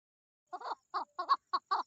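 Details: Female chukar partridge in mating season giving a short, uneven run of six harsh, clucking chuk notes with brief gaps, over a quiet, clean background.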